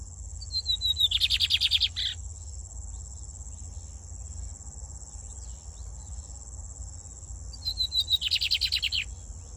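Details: A brown-plumaged lined seedeater from Brazil sings twice: a few thin, high descending notes lead into a rapid buzzy trill, about a second long, over a steady high insect-like whine and low hum.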